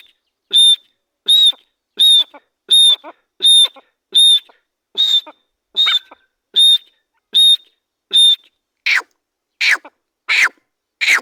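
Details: Grey francolin repeating a loud shrill whistled note about every 0.7 seconds in a long regular series, the last few notes turning harsher and buzzier.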